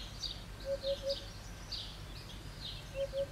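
A Eurasian hoopoe gives soft, low hooting notes in a quick triplet, 'oop-oop-oop', repeated after a pause, while other small birds chirp faintly higher up.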